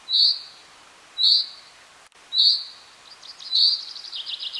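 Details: Common chaffinch of the nominate subspecies in the Alpilles, France, in May: three loud, short, bright high notes about once a second, then a fast descending series of trilled notes.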